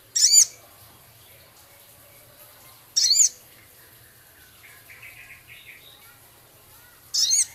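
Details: Male Javan cochoa in full song, mixing in scarlet minivet mimicry, ticking and rough chatter. Three isolated, harsh, high rasping bursts come about four seconds apart, with faint softer notes between them.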